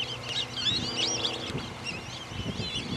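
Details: Flocks of black-bellied whistling ducks, big flocks crisscrossing overhead at STA-1W, West Palm Beach, Florida, give overlapping high, wavering whistles, several callers at once, over low rumbling background noise.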